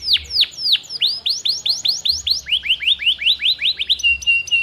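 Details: Canary used to prompt silent canaries: a measured series of downward-swept whistled notes, about two per second, dropping in pitch midway, ending on a flat steady whistle with a faint low hum.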